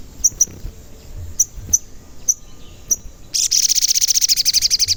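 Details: A vocal crimson sunbird (sogon), used as a lure for other birds. Repeated thin cuit cuit chips lead into a long, very fast, bright trill that fills the last seconds.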